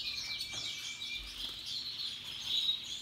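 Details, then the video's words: Russian yellow and Timbrado canaries singing among other birds, a busy overlapping chorus of high fast warbles and trills, with a thin descending whistle early on and a bright whistled note near the end. "Relaxing Canaries and others birds singing sounds"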